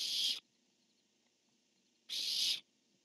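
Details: Barn owls on a nest camera, male calling and female answering: two harsh hissing screeches about half a second long, separated by a quiet gap of under two seconds.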